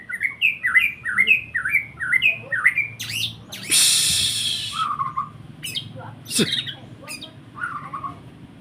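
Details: White-rumped shama (murai batu) song opens with six evenly repeated slurred whistled notes, then a harsh rustling burst, followed by scattered sharp clicks and a few lower whistled phrases over a steady low hum.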